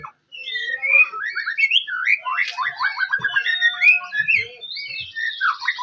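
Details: Looping whistles and slurred notes from a White-rumped shama, a provoking lure song in the 'cess plengg' style, varied and melodic with a long steady whistle midway.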